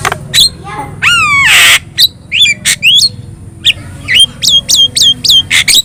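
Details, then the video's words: Chatty Javan myna with yellow eyes: a wavering slurred whistle and harsh rasp, then a string of sharp, evenly spaced upslurred whistles and clicks. "JALAK KEBO GACOR MATA KUNING"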